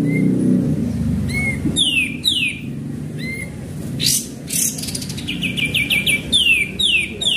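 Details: Sooty-headed bulbul song recording used as a lure: series of clear whistled notes sliding downward, given in quick runs with short low notes between, mixed with sharp broadband chirps and a low background hum.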